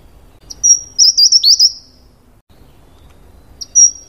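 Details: Taiwan wren-babbler, an endemic of the forest floor in Taiwan's mid- and high-altitude natural woods, gives a high piercing whistle followed by a rapid string of jerky warbled notes; after a silent gap the next phrase begins.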